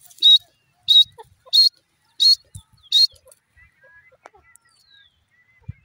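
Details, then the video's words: Male grey francolin: five loud, high, piercing notes spaced roughly 0.65 seconds apart, followed by quiet with faint scattered clicks and soft rustling. "jungli teetar ki awaz,desi male ki awaz,grey francolin seet pe"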